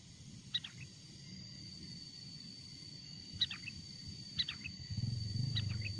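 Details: Wild sooty-headed bulbul song used as a lure to draw wild bulbuls close: four short bursts of three or four quick bright notes spaced about a second apart, over a steady high insect-like whine and low rumble.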